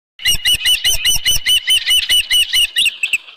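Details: Osprey at its nest at Dunrovin Ranch with a headless fish, evening of 10 June 2018 at 6:41 PM: a rapid run of short, sharp whistled chirps, about two every second, steady in pitch, with faint knocks beneath.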